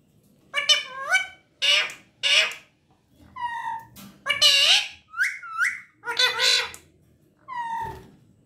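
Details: Talking pet parrot producing a string of short, harsh, speech-like syllables separated by brief silences, mixed with upward-gliding whistles and level tonal notes.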